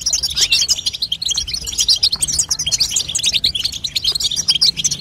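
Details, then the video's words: European goldfinch female chatter, played to stimulate a young goldfinch to sing: dense, rapid high twittering notes tumbling without pause over five seconds, bright and slightly buzzy. "بتبته لتقويه فرخ الحسون تخلي يغرد غصب عنو"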